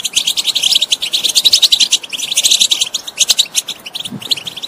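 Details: Song of a European goldfinch, meant to prompt a silent bird into singing. It is a continuous rapid chatter of bright, high twittered and trilled notes that thins out slightly toward the end.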